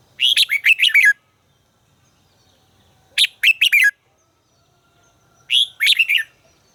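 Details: Red-whiskered bulbul singing during voice training: three bursts of five or six rapid, bright, slurred notes, each phrase under a second long, repeated roughly every two and a half seconds against quiet.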